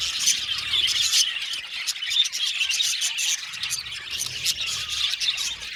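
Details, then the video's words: Budgerigars in a colony aviary give a busy high chatter of chirps, squeals and short squawks, the overlapping calls rising and falling in loudness. "Beautiful budgies chirping sound"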